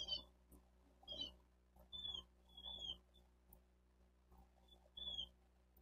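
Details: Bald eagles at their Miami-Dade County, Florida nest, 28 May 2023, 11:34: thin high whistled notes, some slightly falling, given in several short bouts over a steady low background hum.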